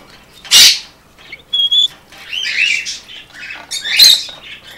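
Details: Attention-seeking greeting from a caged pet rainbow lorikeet, male, housed with a second rainbow lorikeet: two piercing screeches framing a pure whistled double note and a stretch of buzzy, gurgling chatter.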